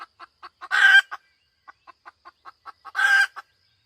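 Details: Hen cackling: a run of short, evenly spaced clucks, then a loud, harsh, drawn-out squawk, more quick clucks, and a second long squawk near the end.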